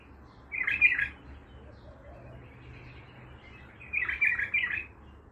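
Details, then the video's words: Baghdadi-style song from a raw, untrained bulbul: a quick gurgling phrase, a pause with faint high notes, then a longer rolling warble; steady low hum underneath. "بلبل طور بغدادي خام"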